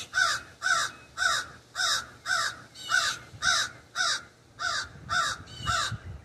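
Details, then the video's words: Eleven harsh, throaty caws in a regular run, close to two per second, from a raven perched in an ash tree behind a house, recorded from a back sunroom. "The Distinct Call of the Raven"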